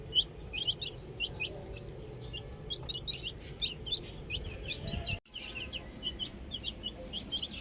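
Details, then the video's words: Outdoor baby chicks peeping rapidly in high short notes, many callers overlapping, with a brief cut in sound just past five seconds. "Cute Baby Chicks Chirping Sounds"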